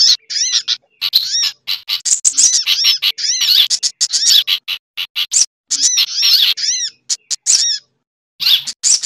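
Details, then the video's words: Noisy combined lure sound of sogok ontong sunbird mixed with other birds including chattering bulbul: sharp high squeaky chirps and looped twittering notes packed in quick irregular bursts, with brief silent gaps. "Suara Pikat Burung Sogok Ontong Ribut Kombinasi"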